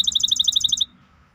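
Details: Maestro bird singing: a fast, even trill of high, sharp notes, about a dozen pulses in under a second, then stopping abruptly, with faint low background hum.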